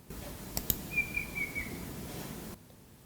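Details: A Banded Bay Cuckoo's call, played for comparison with Racket-tailed Drongo mimicry of it: a thin, high whistled phrase of three or four slurred notes drifting slightly lower, preceded by a couple of sharp clicks over faint room hiss.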